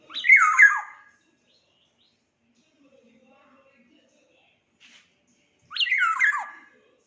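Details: Black-naped oriole of the Sumbawa variety singing: two loud, fluty whistled phrases about five seconds apart, each opening high and tumbling downward in quick liquid notes, with near silence between.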